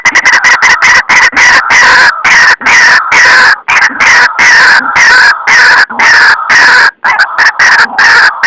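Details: White-breasted waterhen lure sound used in trapping: continuous loud, grating calls delivered in choppy rapid bursts with short breaks throughout.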